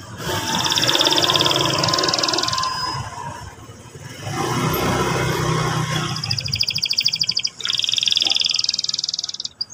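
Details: Canary song meant to stir a young canary into singing: two bursts of fast, high, even trilling separated by a stretch of low rumbling background noise, with a sharp slurred note before the second roll.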